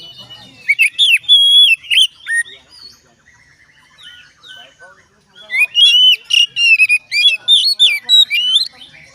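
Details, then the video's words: Oriental magpie-robin singing, meant to set other magpie-robins singing along. Two bursts of loud, rapid, varied whistles and trills, with sweeping and slurred notes, are separated by a quieter stretch of soft twitters. "dijamin Kacer lain ikut bunyi"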